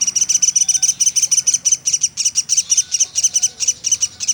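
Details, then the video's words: Nonstop calling of a pelatuk sampit woodpecker used as tutor material for cage songbirds: a brisk stream of piercing, very high ticking notes, evenly spaced and fast, with only slight background murmur. "Burung Platuk sampit dasyat bunyi nonstop"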